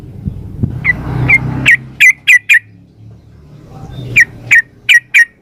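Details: Sooty-headed bulbul female calling to a male, giving loud, clipped chirps spaced about a third of a second apart in two groups, with a low droning hum underneath.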